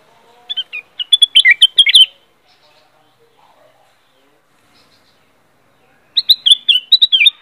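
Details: Black-crested bulbul song: a busy string of sharp, whistled and chirping notes for about one and a half seconds, then silence, then a second similar phrase with downward-slurred whistles.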